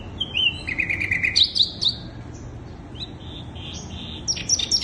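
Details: Sikatan londo flycatcher singing as a lure for wild birds: a lively string of quick warbled high notes and rapid chirps, a quieter pause with soft notes, then a bright burst of sharp, very high twitters.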